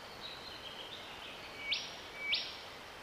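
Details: Cicadabird recorded in Victoria, Australia, in January 2024: two short, buzzy rasping notes about 0.6 seconds apart, each led in by a thin, level tone, over a soft background hiss.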